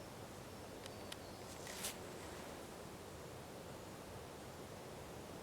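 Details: Even, hissing background of water and rustle with a few brief faint clicks early on; no animal calls present.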